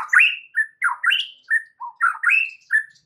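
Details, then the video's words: White-rumped shama song used to lure other shamas into singing: short varied whistled and chattering phrases, repeated in quick succession with small gaps. "PANCINGAN Murai batu untuk MEMIKAT murai lain AGAR GACOR dan TAMBAH ISIAN"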